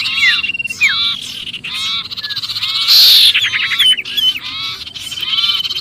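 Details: Sirpu distress cries imitating a trapped bird, used for luring others: sharp falling whistles and buzzy rattles repeated quickly, with a harsh, loud screech midway.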